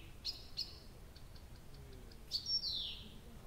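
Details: Singing nightingale at night, Abramtsevo, June 2021: two sharp clicks, a soft fading series of ticks, then a bright whistle sweeping downward and a buzzy descending slur.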